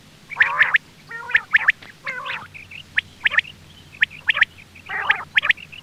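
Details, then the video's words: Quail sounds meant as a hunting lure: scratchy chattering bursts mixed with thin, high repeated chips, irregular and somewhat overlapping. "Quail bird sound for hunting | Btair voice"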